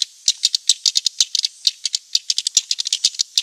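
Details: Swiftlet lure sound meant to attract swiftlets: quieter, very high dry clicks and chirps in irregular rattling clusters, like a shaken maraca, with short silences between bursts.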